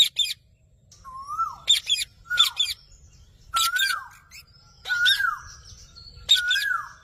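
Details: Parrot chirping: sharp high chirps in bursts about once a second, each followed by a clear whistled note that rises then falls, with faint squeaky notes between.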